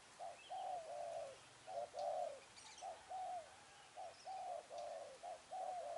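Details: Spotted dove used in trapping, recorded 10 December 2020 on day four: low, hoarse cooing notes in short grouped runs repeated steadily, over constant background hiss with faint high chirps from other birds.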